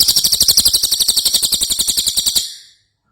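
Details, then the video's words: A single rapid trill from an ashy tailorbird (cililin) singing vigorously, recorded as tutor song for other birds: high, buzzy notes repeated about eight times a second for over two seconds, then fading out. "Cililin Gacor"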